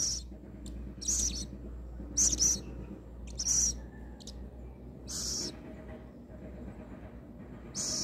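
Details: A captive rescued little owl, before being fed, gives harsh, hissing screeches, each about half a second long, repeated roughly once a second over a low, steady hum.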